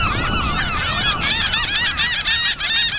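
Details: Seagulls gathered in a flock on an afternoon, a dense chorus of high, curved yelping notes repeated rapidly by several birds at once over a faint low hum.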